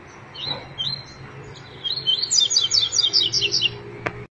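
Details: A double-collared seedeater (coleiro) in the "máquina tui tui zel zel" song style sings a fast run of bright, high chirps, short slurred phrases tumbling together over about two seconds after a few softer opening whistles.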